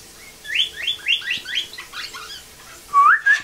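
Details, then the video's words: Captive rehab blue jay copying a cardinal's song: a run of about eight clear downslurred whistles, then after a pause a loud rising whistled slur. "Bluejay Imitates Cardinal"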